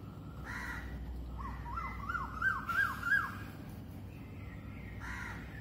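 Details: Crows among other birds at dawn, 06:03 am, phone recording with slow wind: a rapid run of short harsh caws rising in loudness, with a stronger call at the start and end over steady low wind noise.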